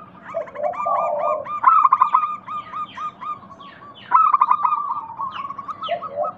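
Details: Local zebra dove singing to coax other doves into calling; a low rolling coo, then loud quick bursts of short notes trailing into evenly repeated softer coos.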